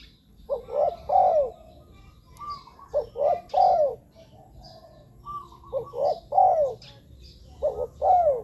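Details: Spaced phrases of mellow, low-pitched coos from a spotted dove, for listening or luring wild doves, each phrase ending in a falling note, with faint background sounds between phrases.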